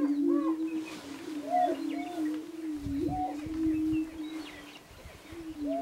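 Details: Displaying prairie chickens: a steady low moaning drone runs throughout, overlaid by short rising hoots and whooping notes, with scattered higher cackles and chirps from several birds calling together.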